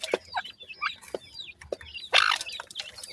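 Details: Francolin chicks at play and feeding in the evening utter clear, loud descending peeps and curling chirps, a few at a time, between sharp tapping clicks.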